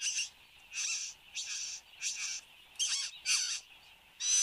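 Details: Male satin bowerbird at its bower in Australia, filmed at 8:02 am on 10 January 2015: loud, harsh, buzzy churring bursts about half a second long, repeated roughly every half second with short gaps, over a steady high insect-like hiss.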